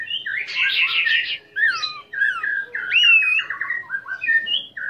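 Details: Orange-headed thrush in full song, used as a trigger recording to provoke other orange-headed thrushes to sing and to raise their breeding drive; varied phrases of rich warbled notes, slurred whistles and quick trills, rising and falling.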